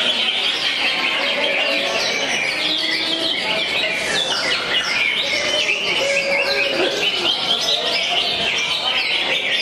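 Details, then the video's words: Greater green leafbird in competition-style singing with racing-cricket (jangkrik balap) phrases: dense, rapid chattering and buzzy high trills running without pause, overlaid by other birds' whistles and background voices. "Cucak Hijau JANGKRIK BALAP 2 Tampil Konslet"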